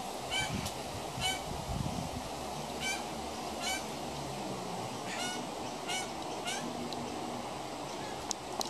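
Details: Young pied currawong near a house, uttering hoarse, nasal honk-like calls at irregular intervals of about a second, with a low rumble of background noise and a faint click near the end.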